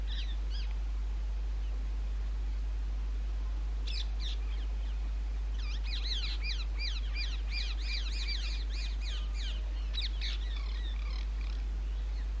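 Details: Rose-ringed parakeets nesting in holes of old railway bridges during the summer breeding season; bursts of harsh, arched screeching notes, some in quick rapid series, broken by short pauses.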